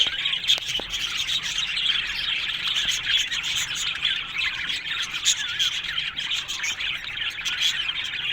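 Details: Colony of Australian budgerigars in an aviary, a dense continuous chorus of many chirping, warbling birds overlapping, with occasional sharp clicks and no break in the chatter.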